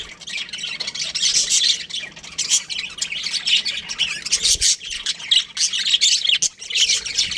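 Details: Baby budgerigars in an aviary, a crowd of overlapping chirps and scratchy squawks pouring out without pause, bursts swelling and fading every second or so.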